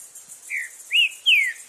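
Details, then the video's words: Green-winged saltator in nature giving three loud whistled notes, the first soft, the next two strong and gliding downward, in quiet surroundings. "TRINCA FERRO CANTANDO FORTE NA NATUREZA!!!"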